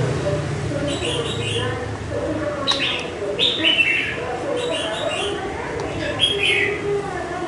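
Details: Caged red-whiskered bulbul, five months in the cage, sings several short high phrases of quick, bright downslurred notes spaced a second or so apart, with faint low voices and room noise beneath.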